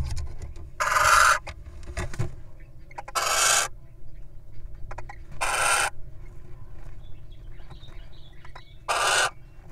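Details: Incubating wild little owl taking a break to eat a mouse gives four harsh, breathy rasps, each about half a second long, spaced two to three seconds apart over steady low hum.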